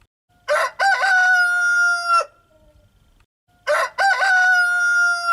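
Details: Rooster crowing twice: each crow opens with short stuttered notes, then a long level, harmonic-rich cock-a-doodle-doo lasting over a second, with a quiet pause of about a second between crows.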